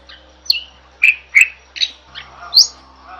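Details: Jalak bird used for masteran, singing gacor: spaced whistles and squeaky chirps, some sliding down, one climbing sharply high near the end, with gaps between notes and a low background hum.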